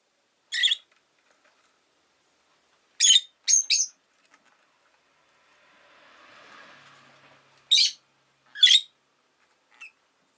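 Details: Rosy-faced lovebird chirping in scattered bursts of sharp, shrill notes, some paired, separated by quiet gaps, with a soft low rumble of passing street traffic in the middle.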